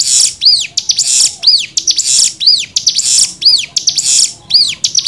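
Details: Cigun singing 'nembak' for training birds: a long run of paired sounds, a hissing buzz then an arched falling whistle, recurring about every second.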